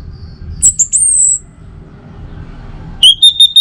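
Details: Orange-headed thrush song for stimulating captive birds to sing in the morning: a high sliding whistle phrase, a silent gap, then a quick run of evenly spaced piping notes, with faint low hum beneath.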